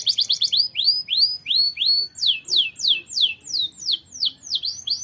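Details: Canary singing vigorously as a tutor bird: slow, clear, upward-arched whistles, about three a second, shifting into sharp downward-sweeping notes.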